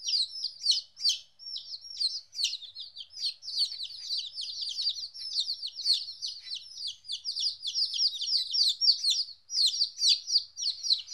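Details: Young chickens aged 14 days, apart from their mother for the first time, keep up an irregular, crowded chorus of piercing downward-sliding peeps for over ten seconds.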